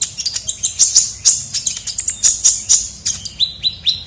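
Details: A steady stream of piercing high chirps from a brown-throated sunbird (kolibri ninja) lure recording, dense twittering notes followed by three short downward-slurred whistles at the end.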